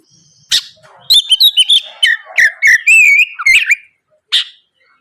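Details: Oriental magpie-robin in full, open-throated morning song, used as a lure to make rival birds answer: a rapid string of loud, sweet whistled notes, trills and slurred rising-falling phrases, followed by a sharp harsh note after a short pause.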